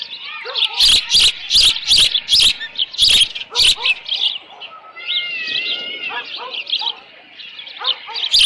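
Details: Osprey at a ranch nest with leftover fish, 13 June 2018, late morning; a run of rapid high chirped calls, then a quieter stretch of drawn-out whistles and softer notes, ending with more chirps.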